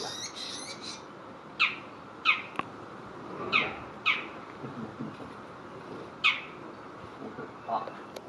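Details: Bull-headed shrike giving harsh, short squawking calls that drop sharply in pitch. They come singly or in quick pairs with irregular gaps of about one to two seconds, over a quiet background with faint hiss and a few soft clicks.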